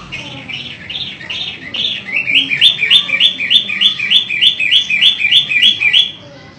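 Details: Long-tailed shrike, of the type called matahari, singing vigorously; warbled notes give way to a fast series of identical rising, sharply hooked notes, about three per second, with faint background murmur.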